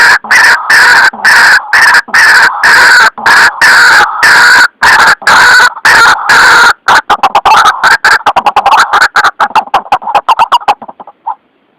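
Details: White-breasted waterhen lure call for trapping: long stretches of loud raucous croaking that break into faster, stuttering notes before stopping abruptly.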